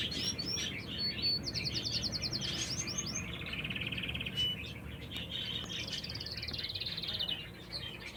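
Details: Canary song outdoors in nature, made of quick high phrases: a dense rattling trill, a lower warbled passage, then another long rapid trill, over a faint low rumble.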